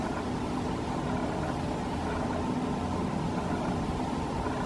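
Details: Steady engine-like drone with broad rumbling noise, and no animal sounds heard.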